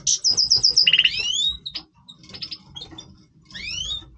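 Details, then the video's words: {'caption': 'Goldfinch breeding song opening with a quick run of bright repeated notes, then long rising whistled slurs and scattered twitters, and a final pair of upswept whistles.'} "Stieglitz Major Breeding Voice - singing Goldfinch"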